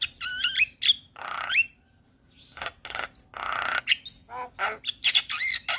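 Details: Jalak Kebo, the Black-winged starling, in full gacor song while head-bobbing: looping whistled phrases mixed with broad harsh screeches, a brief silence, then more grating rasps, clicks and bright upslurred squeaks.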